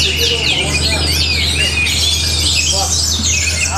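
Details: Orange-headed thrush from Bali singing a dense, rapid song of overlapping whistles, trills and sharp slurred notes, with a steady low electrical hum underneath.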